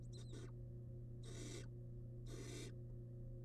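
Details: Wild barn owl nestling at its nest box, eating a big rabbit remain; a brief squeaky chitter, then two long, loud rasping hisses a second apart, over a low hum.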